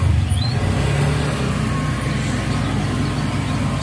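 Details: Steady low rumble of road traffic and engines, with no animal sound.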